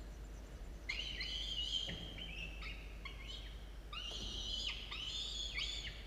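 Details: Two falcon nestlings aged 17 and 13 days, nest camera at a university, early 27 October 2022; strings of strained, whinnying wails with upward flicks and falling tails, two clustered bouts, over steady hum.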